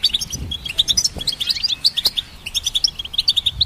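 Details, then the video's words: Goldfinch singing, a recording meant to help train songbirds: quick, evenly spaced high tinkling notes, about five per second, rising and falling in a lively liquid twitter with a few soft thuds beneath. "Goldfinch Symphony"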